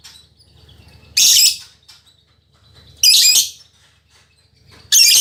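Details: Female lovebird described as a fighter, singing busily in captivity: three loud, rasping, broadband screeches, each about half a second long, spaced roughly two seconds apart.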